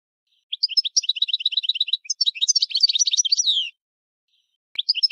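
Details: Rapid, evenly spaced high chirps from a European goldfinch give way to a dense, tumbling burst of bright twitters that ends in a falling buzzy trill; after a pause the same twittering starts again, with nothing else audible.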